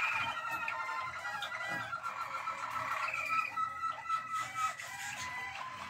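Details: Song of a Malinois waterslager canary from 12 December 2023, a dense, unbroken stream of warbling and rolling trills with liquid gurgling passages, held at an even loudness.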